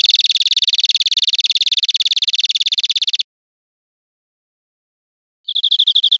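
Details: European Greenfinch, Spain, 2013, delivering a rough, buzzy rattling trill for about three seconds, then after a pause a clearer, brighter trill of fast repeated notes begins.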